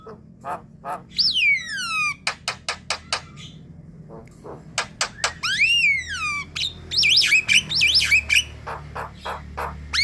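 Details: Javan myna flock calls used as a lure to attract others: harsh clicks and buzzy bursts mixed with long whistled notes sliding downward, plus rapid rising-falling whistles repeated near the end.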